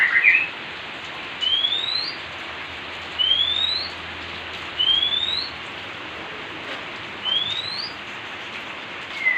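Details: Pair of Oriental magpie-robins bathing in rain, one giving long upslurred whistles repeated roughly every two seconds, each sliding smoothly upward, against constant rain hiss.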